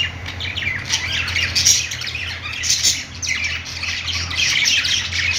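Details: Playing budgies squawk and chirp in overlapping streams, harsh notes and short squeals filling the clip over a low hum.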